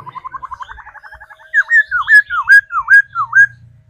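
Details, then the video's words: Trained caged laughingthrush singing while dancing, practised daily: a fast trill of short notes opens, then five loud, clear whistled notes, each dipping down and sweeping back up, spaced about half a second apart. "Khứu hót múa đẳng cấp. Luyện chim hót múa mỗi ngày"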